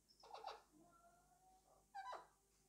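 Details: Alexandrine parakeet kept as a pet, chattering to its toy indoors: two rough, harmonic, voice-like bursts with a thin, level tone between them, over faint room hum.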